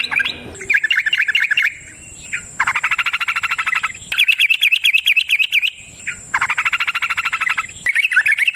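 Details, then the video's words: Wild yellow-vented bulbul producing fast, rattling trilled phrases of rapid chattering notes, each burst about a second and a half long with short breaks, over a steady high-pitched insect-like whine. "Trucukan GACOR ngalas ROPEL PANJANG suara alam"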